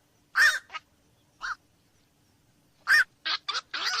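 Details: A few loud, hoarse croaks from black-crowned night herons, with single barks separated by a long silent pause, then a quick cluster of three rasping notes at the end.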